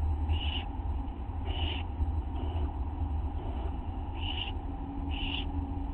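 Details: Owlet at a nest at 1:29 at night on August 9, 2011, as a parent drops off a tiny mouse that it swallows; short harsh hissing bursts repeat irregularly, five in all, over a steady low hum.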